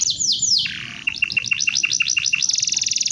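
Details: Canary singing a training song for other birds: a few quick falling whistles and a brief buzz, then a steady series of paired chirps repeated about eight times a second, ending in a rapid high trill.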